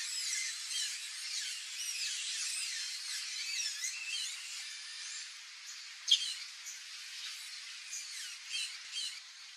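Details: Sayaca tanager singing in a backyard: a steady stream of high, thin, squeaky notes, run together into a jumbled twitter with scarcely a pause. No other sounds stand out.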